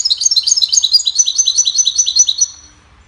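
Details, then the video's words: A goldfinch singing a cheerful tune to teach songbirds, fast tinkling chirps and high twittering notes tumbling out in quick succession, fading after about two and a half seconds. "Goldfinch sings a cheerful melody to teach the birds goldfinch chirping"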